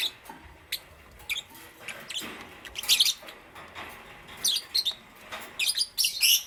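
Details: Lovebirds of Parblue Euwing Green Opaline and Green Opaline colour forms in the morning, giving scattered sharp, high chirps in short separated bursts over a quiet hiss.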